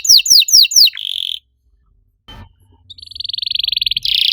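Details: Canary master song to spark singing in canaries gone quiet: quick descending whistled sweeps, a buzzy trill, a brief pause with a faint knock, then a long rolling trill rising in loudness.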